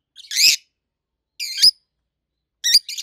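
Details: Three loud, harsh, wavering squawks from adult rosy-faced lovebirds, each about a third of a second long, separated by roughly a second of silence indoors.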